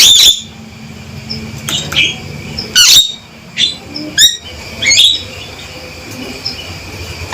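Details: Harsh, piercing notes from a male Javan myna come in separate bursts about once a second, mixing scratchy squawks with quick rising whistles, against faint low hum.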